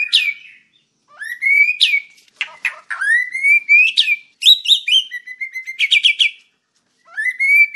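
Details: Rich, fast song of a white-rumped shama: upslurred whistles, sharp high notes, clipped rattling bursts and repeated phrases with brief pauses; master recording for training other birds.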